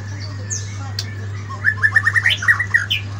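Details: White-rumped shama singing in the morning: a quick run of short, bright, repeated whistled notes with a few higher accents, over a steady low electrical hum.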